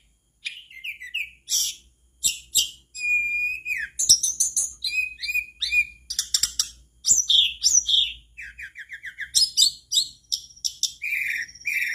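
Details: Mangrove blue flycatcher in full energetic song, intended to prompt other flycatchers to sing along; long rich sequence of sweet whistles, rapid twittering trills and sharp notes, constantly changing pitch, nearly continuous.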